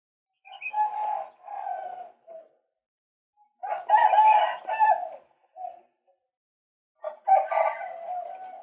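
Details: Harsh, grating croaks from a male white-breasted waterhen used as a trapping lure, delivered in three loud bursts several seconds apart, each rough and broken into segments.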